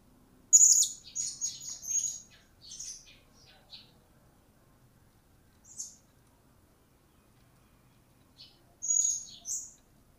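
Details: Newly acquired blue-crowned hanging parrot beginning to call: a burst of piercing high shrill notes and quick chirps, a lone squeak after a pause, then another pair of sharp shrill notes.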